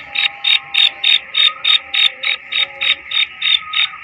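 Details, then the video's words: Female black francolin calling: a fast, regular series of harsh, rasping bursts, about three per second, steady throughout. "Black francolin female voice"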